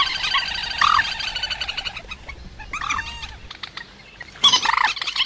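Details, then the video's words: Rail calls used as a trapping lure: harsh, rapidly pulsed rattling notes in dense bursts, a louder burst near the start, quieter stretches in the middle, then a sudden loud outburst near the end. "Tiếng cuốc biển chuẩn"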